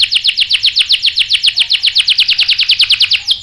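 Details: Canary song used to prompt males to respond: a steady rapid trill of bright downward-slurred notes, about seven per second, holding the same pitch throughout.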